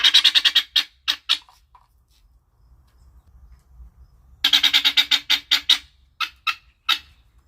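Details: Guineafowl in a happy mood gives two bursts of rapid, harsh, grating notes, separated by a few seconds of near silence, the second burst trailing into spaced single notes.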